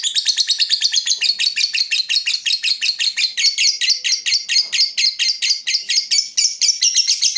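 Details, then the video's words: Long lovebird ngekek for luring and training other lovebirds: loud, rapid chattering of shrill, buzzy notes, steadily repeated and sustained through the whole passage, no other sounds. "suara burung Lovebird terbaik buat memancing burung Lovebird dan masteran"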